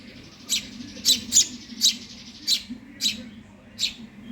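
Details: Hungry Eurasian tree sparrow chick begging: harsh, scratchy chirps repeated about seven times in four seconds at an uneven pace, over a steady low electrical hum.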